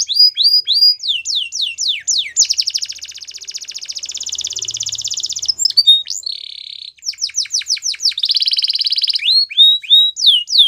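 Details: Canary singing a varied song: repeated downslurred whistles, a long dense buzzy trill lasting several seconds, a flat nasal note, then more rapid trills and slurred whistles, close and clean with a faint low hum.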